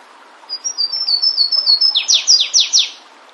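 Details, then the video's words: Wild Flavescent warbler in nature delivering its song: a rapid run of high, even notes drifting lower, accelerating into four strong downslurred sweeps before stopping. "Canário do Mato cantando bonito na natureza. Aprecie o lindo canto deste canário diferente."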